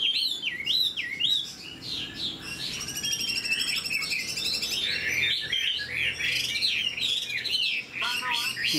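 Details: Caged hwamei with a fanned tail and fresh feathers pours out a dense, energetic song of quick wavering whistles and buzzy trills, almost without pause.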